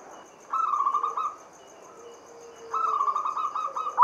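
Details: Local zebra dove singing a lure to stimulate other doves. Two clear cooing phrases, each a level tone breaking into evenly spaced pulses, over a quiet background with a faint lower sliding tone between them.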